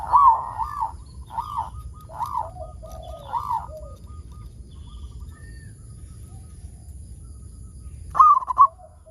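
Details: Zebra dove of a local strain singing to prompt other zebra doves to sing: four mellow arched coos at a steady pace with faint lower notes between, a pause, then a brighter burst of coos near the end.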